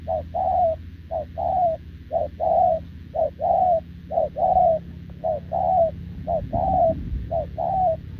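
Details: Spotted dove, a wild-caught field bird, cooing nonstop toward a decoy, recorded 6 November 2024: eight paired coos, a brief note followed by a drawn-out slightly falling one, roughly each second, over low background hum.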